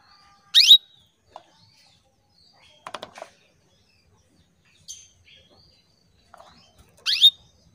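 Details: Female canary calling to males as a song lure: a pair of quick upward-sweeping chirps with short tonal tails, six and a half seconds apart, separated by light tapping and clicking noises.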